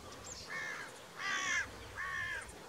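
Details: Carrion crow giving three rasping caws in quick succession, the middle one loudest and harshest, against a faint low rumble.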